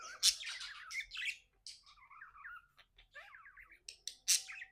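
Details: Pet budgie chirping happily: sharp squeaks bracket a soft, burbling warble of wavy whistled notes, with short pauses in between.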